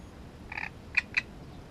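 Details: Great reed warbler giving three harsh, grating notes in quick succession, the last two louder and sharper, over a quiet background.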